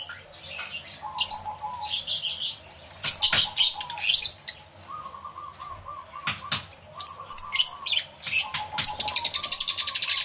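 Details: Lovebirds in a crowded aviary with several species present, recorded in stereo: dense high shrill chattering and squeaks, wing flutters, and a lower repeated stuttering note in the background.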